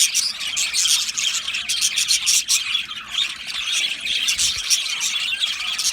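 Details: Budgerigars in an aviary colony squawk and chirp together, harsh short notes mixed with rapid twitters in a steady high-pitched babble.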